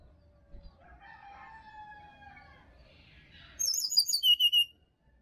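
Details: Sirdadu (Black-winged flycatcher-shrike) in natural Bali forest, meant to prompt a quiet caged bird in the morning: soft lower warbling first, then a quick run of bright, rapidly repeated high whistles falling in pitch.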